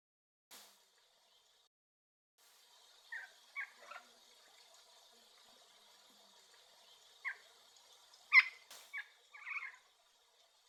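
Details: Regent parrot, a bird of dry woodland and mallee in western Victoria and south-west Western Australia, usually in small flocks: short, harsh, scratchy notes in a few scattered bursts over a faint steady high hiss.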